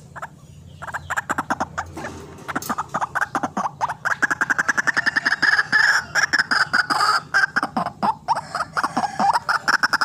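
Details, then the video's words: Lure call of a white-breasted waterhen for trapping, with scattered clucks that build into a long, fast run of harsh, rhythmic croaks, about three to four per second, sustained and loud. "RUAK RUAK GACOR GANAS RAJANYA PIKAT"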